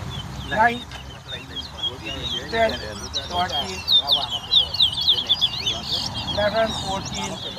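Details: Towa towa bird race, Craig Bridge bird ground, Guyana, 2022: a lively, high twittering song of rapid repeated warbles that grows denser toward the end, over people speaking and short bursts of music.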